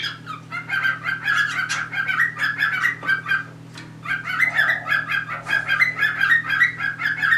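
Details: Three household cockatiels, a pair mating and one more wanting in; lively warbled chatter of quick rough notes, one short gap mid-way, faint hum throughout.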